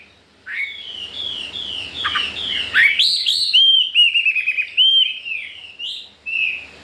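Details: Wild-caught Chinese hwamei, newly arrived four days ago and kept with other household birds, singing a loud run of clear whistled phrases, slurred notes rising and falling, some repeated in quick series, the later phrases ringing and sharply upslurred.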